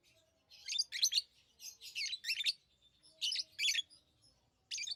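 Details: Pet lovebirds give paired and grouped squeaky chirps, harsh and high, roughly every second or so, with a faint steady tone in the background.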